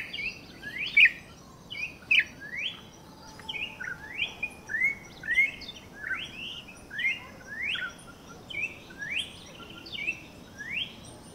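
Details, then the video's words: Campo troupial song: a long series of about fourteen short falling-and-rising whistled notes, regularly spaced under a second apart, moderately loud over a soft hiss. "MELODIA INCRÍVEL DO CORRUPIÃO!!!"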